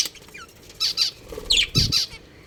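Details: Budgerigars kept as pets at home give loud, harsh, rasping squawks in quick bursts, four or five in under two seconds, with a dull thump mixed in and faint room noise behind.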